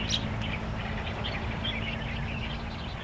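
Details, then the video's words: Jalak, or starlings, and kapasan birds in the wild in Taiwan: a rapid stream of rough little chirps and chattering notes, with a low steady hum behind them. "Kemerduan burung jalak& kapasan di alam liar"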